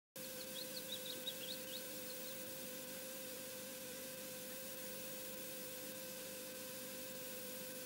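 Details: An osprey at the Loch Garten nest, coming in and out again, gives a quick run of high, thin whistled chirps over about two seconds, then falls silent over a steady electrical hum.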